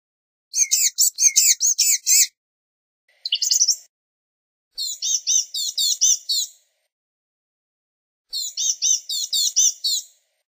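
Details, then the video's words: Blue-gray Gnatcatcher (Polioptila caerulea) singing thin, high, squeaky notes in quick chattering bursts of about two seconds, separated by short pauses. "Blue-gray Gnatcatcher Singing! Calling! Chirping! Sound!"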